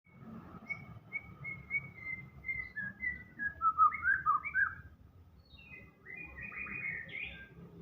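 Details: White-rumped shama (murai batu) singing vigorously in the gacor style full of isian fills: a series of short level whistles, then a loud run of looping, warbled notes and buzzy higher phrases over a constant low background rumble.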